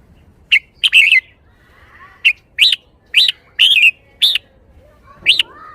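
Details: Red-whiskered bulbul, caged, showing its shaking-bottle song style as a string of short, sharp chirped and whistled notes, some rising then falling, given singly or in quick pairs across several seconds with slight background noise.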